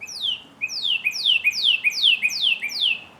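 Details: Northern cardinal singing a steady series of about seven loud downslurred whistles, each sweeping from high to lower pitch and ending on a short steady note, repeated roughly every half second.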